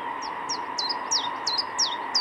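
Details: Common chiffchaff song: a brisk series of about eight high chirping notes, each sliding downward, repeated steadily over two seconds above a constant low engine-like hum.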